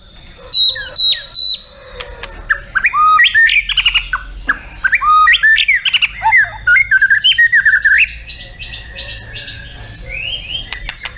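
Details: White-rumped shama, a competition songbird, singing loud bursts of varied whistles, chattering and sweeping notes repeated rapidly for several seconds, ending in a softer sustained phrase.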